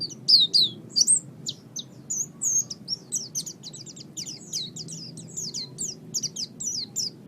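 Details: Oriental white-eye singing for songbird training, opening with a few loud, squeaky whistles before settling into a steady run of short, high, ticking twitter notes.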